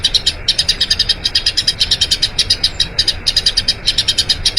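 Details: Long rolling song of a Eurasian tree sparrow, recorded to train other birds: crisp separate chirps about four per second in short runs with small pauses between them.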